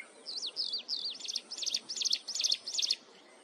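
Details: Mountain wren singing shrilly at close range: a few twisting, slurred whistles lead into a quick series of sharp, high chirped notes, roughly three per second, before the song stops.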